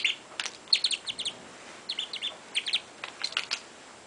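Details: Pet parrot, 22 months old, chattering daily as it plays: soft, fairly quiet groups of short high chirps and clipped syllables, three or four per group, spread across a few seconds.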